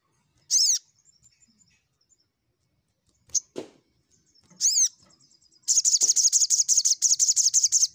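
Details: Crimson sunbird (sogok ontong) lure to call rivals: two separate ringing downslurred notes and a click, then a fast rattling trill of rapid high chips lasting over two seconds.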